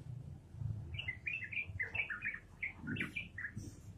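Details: Yellow-vented bulbul in energetic ropelan song, a quick chain of liquid whistled chirps delivered in a steady stream for about three seconds, with low murmuring noise underneath.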